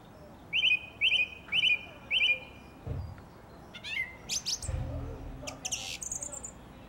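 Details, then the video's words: Garden song thrush in April 2021 repeats a clipped double note four times, then switches to a run of varied high-pitched whistles and sharp chirps. "A most beautiful Song Thrush - April 2021"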